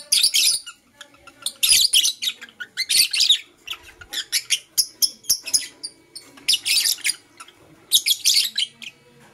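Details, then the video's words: Morning chirping from Blue Opaline and Parblue Euwing Opaline lovebirds: loud, harsh, rasping bursts of high chatter about every second, with rapid short squeaks and clicks filling the gaps between them. "Lovebird Chirping Sounds"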